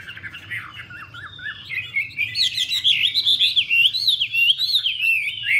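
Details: Female Chinese hwamei dancing with spread feathers to urge the male on; softer warbled notes at first, then a bright, rapid run of zigzagging whistles growing louder, several notes a second.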